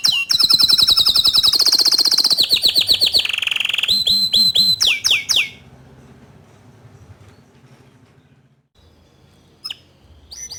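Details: Green bottle canary training song for young canaries: fast trills and rolling repeated notes for about five seconds, then near silence with a faint low hum and a couple of brief chirps at the end.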